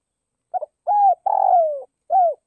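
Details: Decoy spotted dove calling to rouse wild doves: a brief stuttered note, a mellow arched coo, a long rough descending croon, then a final clean coo, all low and hollow, with no other sounds.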